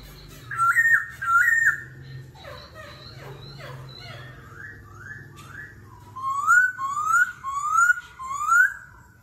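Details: Laughingthrush in forest-voice competitive singing, switching voices continuously, in the 'kéo thuốc lào' style. Two sharp whistles are followed by a jumble of quieter notes, then a series of rising and falling rolling whistles, over a low hum.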